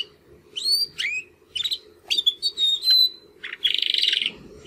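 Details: Young male Timbrado canaries, two brothers in a cage, giving first song attempts after their first molt; rising whistled slurs, a sustained steady whistle, then a fast buzzy trill, with a constant low hum behind.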